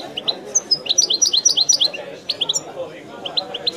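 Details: Wydani-style song of a European goldfinch, bursts of rapid, high tinkling chirps and short buzzy notes, then a quieter pause before a few more twittered notes, over faint low background noise.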